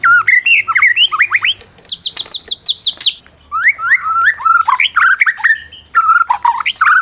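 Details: Prize-winning white-rumped shama, Medan type, in song meant to stir other shamas to sing: a twisting whistled phrase, then a run of sharp high repeated notes, then a rich varied warble.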